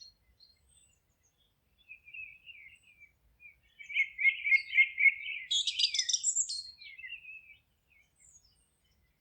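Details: Singing forest birds: faint scattered chirps, then a fast, rattling trill of repeated notes lasting several seconds that rises into a brighter twittering flourish before fading to quiet.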